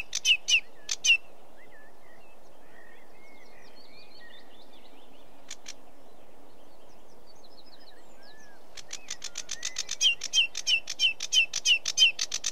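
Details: Sedge warbler giving a few sharp chattering notes, then near quiet with faint distant chirps, before a rapid run of harsh, ticking notes and short whistles builds up again.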